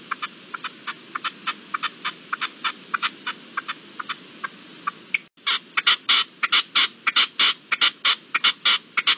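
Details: Partridge calling at dusk on 7 April 2022: a rapid series of sharp, clipped chucking notes, one or two a second, growing louder and faster midway, over a steady low hiss.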